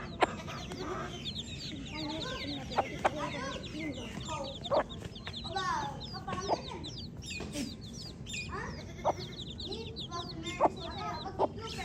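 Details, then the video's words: Dense chirping of baby chicks, a constant layered wash of shrill down-slurred peeps, punctuated by occasional sharp clicks. "Baby Chick Chirping Sounds"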